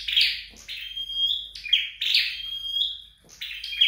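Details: Flowerpecker trained at home sings bright buzzy bursts that trail into long thin whistled notes, three or four phrases in quick succession with brief breaks.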